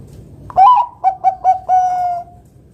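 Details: Zebra dove of the Bangkok type with a loud, deep 'kung besar' voice, played to lure other doves into singing: one long mellow coo, three short clipped coos, then a long sustained coo, against a quiet background.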